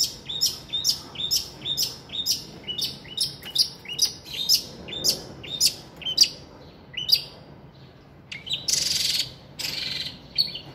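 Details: A captive long-tailed shrike, a species known to mimic other birds, with a repertoire said to include chicken and gecko sounds, sings a fast run of sharp, scratchy high chirps, about two per second, ending with a few harsh rasping bursts.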